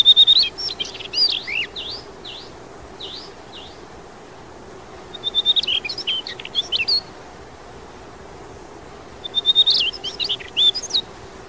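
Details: Daurian redstart (Phoenicurus auroreus) on the day the young fledged, in Yeoncheon, Korea, giving three bursts of thin, high whistles and quick down-slurred chirps, with short pauses between, over a faint steady hum.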